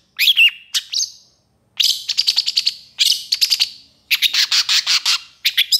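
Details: Long-tailed shrike in excited full song with long bursts, used as a tutor recording for stressed or silent shrikes. High chirps and a whistled note open, then three rapid buzzy trills of repeated notes separated by short pauses.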